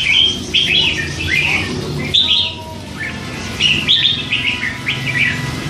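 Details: Caged red-whiskered bulbul, a hand-fed three-month-old youngster that chatters all day, gives clusters of sharp rising and falling chirps, a short quiet gap, then another lively burst, over low background noise.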